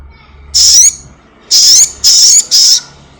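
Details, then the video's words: Lure recording of a house-kept black-winged myna, used to get caged birds singing fast: four loud, shrill, buzzy whistles with a wavering upward-bending tone, one set apart and then three close together. "Sogon gacor || Pancingan sogon rumahan agar cepat bunyi"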